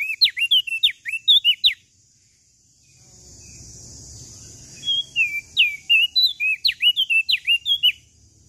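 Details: Lombok common tailorbird in full vigorous song: rapid, ringing whistles that dip and leap in pitch, a pause with faint low noise, then a longer three-second run of repeated sharp notes.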